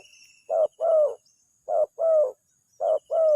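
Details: Spotted dove lure call used to attract answering doves. Three paired coos, each a clipped note then a fuller drawn-out one, spaced roughly a second apart, over a faint high steady whine.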